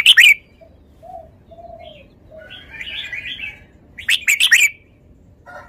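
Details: Red-whiskered bulbul producing a loud burst of sharp notes, then soft low whistles and a fuzzy warbled phrase, before another cluster of loud rapid clicking notes near the end.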